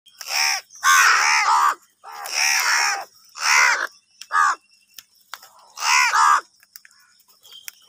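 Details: Angry crows fighting over food: harsh, hoarse caws in bursts of three or four, each lasting about half a second to a second, with short silent gaps between them.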